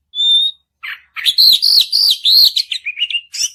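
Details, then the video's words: White-rumped shama song used to stimulate another shama to sing: a clear whistled opening note, then a rapid run of loud, varied warbled phrases and slurred whistles with sharp chips, ending in a high whistled flourish. "kacer Gacor Panjang || kacer macet bunyi pasti nyaut"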